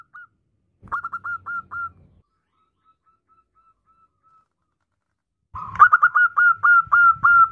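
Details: Female zebra dove calling the male with a brief string of quick whistled coos and a faint distant series. Then a louder, rapid burst of repeated arched notes begins with clicky onsets.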